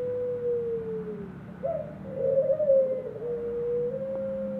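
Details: Caged ringneck dove in an aviary: a long smooth descending coo, a brief rough rolling burst, then another sustained level coo, all low and mellow over quiet background hum.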